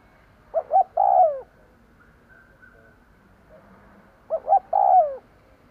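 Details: Spotted dove kept as a lure bird, calling to draw in wild birds: a pair of short hollow coos then a long sliding croo, repeated once after roughly three and a half seconds, with faint background murmurs between.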